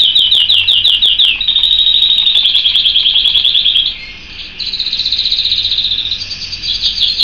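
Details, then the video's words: Pet canary singing: loud fast trills of repeated high notes, each phrase held for a second or more, shifting to a steady buzzy roll, then a higher rapid trill after a brief dip. "Vogi der kanarienvogel"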